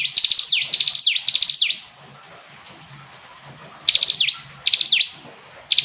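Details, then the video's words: Clear hill prinia song in bursts: fast high ticking runs closing with steep falling whistles, a quiet gap of about two seconds, then two more phrases. "Ciblek gunung istimewa, hitungan detik dijamin langsung bunyi ‼️ jernih"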